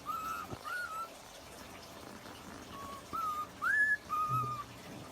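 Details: A young pet cockatiel whistles the X-Files theme in clear, pure notes with short gaps between phrases.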